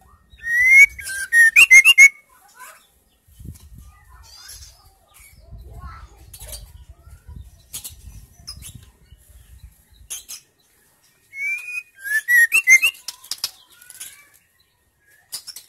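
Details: Female white-rumped shama in full song, used to stimulate silent males to sing: two bursts of sharp whistled notes near the start and again after eleven seconds, mixed with high clicks, with soft low thumps and rustling between the bursts.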